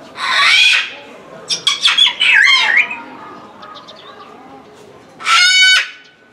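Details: Salmon-crested cockatoo calling incessantly at Omiya Park Small Zoo, Japan, in December 2017: a harsh opening squawk, then a jumble of rasping, wavering squawks, a pause, and one long, piercing, grating screech near the end.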